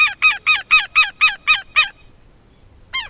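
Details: Southern lapwing calling: eight evenly spaced, harsh, metallic notes delivered quickly in a steady run, then near silence before one final note at the end.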